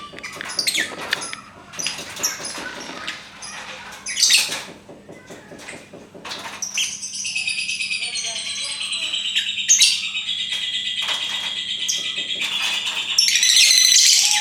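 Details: Lovebird in its long ngekek song: after scattered clicks and a human voice, a sustained, rapid buzzy trill with stacked high tones runs unbroken for about eight seconds, swelling louder toward the end.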